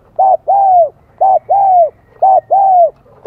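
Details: Spotted dove from Vietnam with a high-pitched 'son' voice, just beginning to sing: three paired coos, each a short note then a longer arched hoot, repeating about once a second in a quiet setting.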